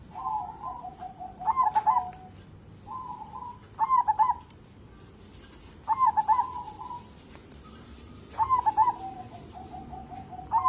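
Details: Local zebra dove in full song, used as a lure to get other birds singing: repeated phrases every two seconds or so, each a short low coo then a burst of rapid stuttering notes, five phrases, steady background hiss.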